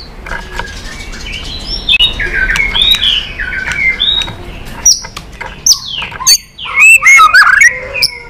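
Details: White-rumped shama singing varied phrases, used to excite and train other shamas to sing: rich loud run of warbled whistles, slurred rising and falling notes, with sharp tacking clicks interspersed and a strong fluty flourish near the end.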